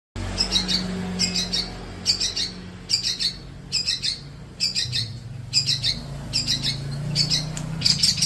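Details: Young Long-tailed Shrike kept by a bird hobbyist and being trained to sing often. It gives harsh, buzzy bursts, about ten, spaced roughly every second over a steady low room hum.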